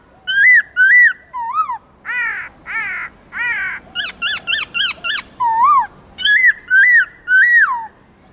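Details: Forest-voice song of a black-throated laughingthrush, used to rouse and train captive birds: bright rising-falling whistles, some harsh stacked notes, then a quick run of short clipped notes before more looping whistles, rapidly repeated.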